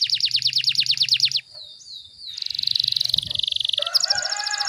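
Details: Canary song used as a tutoring recording for training birds at home, full of dense rapid-fire bursts; fast, evenly repeated high notes, then a gliding whistle, a buzzy sustained roll and another quick trill.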